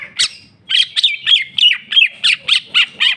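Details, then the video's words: Cucak ijo, a greater green leafbird, delivering a rapid string of sharp ringing chips at a steady pace, roughly three per second, over a thin sustained whistle. "cucak ijo mewah ful jamtrok bongkar isian"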